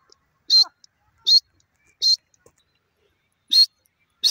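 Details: Grey francolin giving loud, shrill, high-pitched call notes, each short and explosive, repeated at uneven intervals of roughly one second, with faint soft ticks between.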